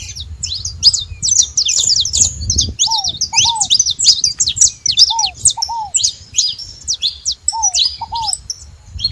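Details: Saffron finches calling at a feeding station, a busy overlapping stream of high metallic chirps, punctuated by paired lower downslurred whistles every couple of seconds.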